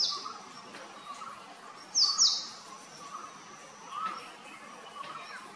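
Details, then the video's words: Male purple sunbird calling: a pair of piercing, downward-slurred high notes in the middle, while lower twittering of other birds runs through the background. "Purple sunbird call, Male purple sunbird calling, Purple sunbird, Purple sunbird song, Sunbird sound"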